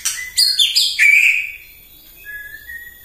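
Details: Morning song of a white-rumped shama used to provoke other birds: a few sharp high notes, then a rich slurred whistle, fading into a soft thin sustained tone.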